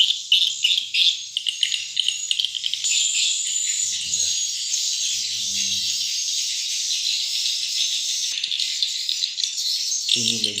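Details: Swiftlets inside a small, simple one-floor swiftlet house with nests holding eggs and chicks: dense, continuous high-pitched chirping and twittering throughout, with a brief low rustle near the middle and a short human voice at the end.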